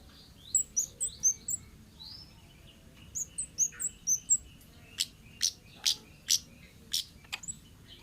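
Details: Orange-headed thrush of the forest singing fast runs of thin, high chirps, then a string of loud, sharp clicking notes repeated roughly twice a second.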